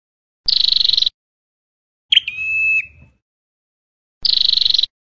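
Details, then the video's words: Scarlet-backed flowerpecker (chim sâu đầu đỏ) song used as a trapping lure gives two high, fast buzzy trills about four seconds apart, with a thin, steady whistled note between them. "Giọng Chuẩn Bẫy Loa Chim Sâu Đầu Đỏ"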